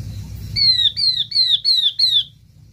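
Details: Lure call of a yellow-eyed babbler, meant to draw in the flock: five bright whistles, each sliding downward, given in quick steady succession over a low background hum.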